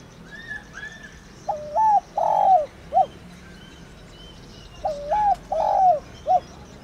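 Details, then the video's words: Calling coo of a "thổ đồng" spotted dove, a bird of farm villages and rice fields, used to stir decoy birds: two low three-part phrases of a quavering coo, a drawn-out coo and a brief falling note, with faint higher chirps of other birds. "Cu gáy THỔ ĐỒNG GÁY GỌI"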